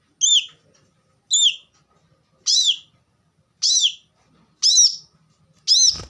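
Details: Plain-throated sunbird recorded as masteran material for caged birds: six separate high, slurred whistled notes, each bending down then up, spaced about one second apart, with near silence between them.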